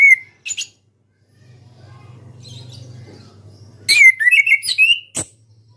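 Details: Orange-headed thrush, a caged Indonesian national champion, delivering clear whistled notes and a quick run of rising and falling slurred phrases with sharp high clicks, after a quiet stretch with low electrical hum.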